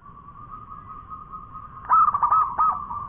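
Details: Local zebra dove (perkutut lokal) in full song with a long-voiced delivery: a steady low cooing tone held nearly two seconds, then a burst of quick stuttered, rolling coos ending on a sustained note.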